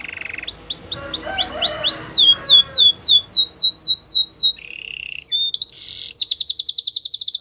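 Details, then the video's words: Canary song: a short low trill, then rapid series of swept slurred notes, a brief lower trill, and a fast high rattling trill, with faint room noise underneath. "The best canary singing video ever | Belgian canary training"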